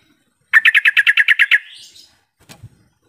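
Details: Sooty-headed bulbul call used as a lure so other birds start calling back: a run of about ten fast, evenly spaced bright chirps trailing into a softer buzz, then a low thump.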